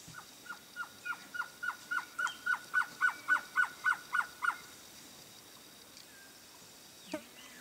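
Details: A male blue-crowned trogon (Trogon curucui) sings a fast series of about fourteen short, mellow notes, roughly three per second, swelling in volume then stopping; a faint click follows.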